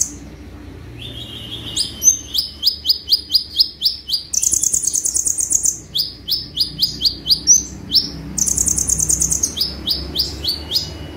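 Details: Sunbird pouring out 'tembakan' song: long runs of rapid, evenly spaced upslurred chirps interleaved with two intense, very high buzzing trills. Faint low hum underneath.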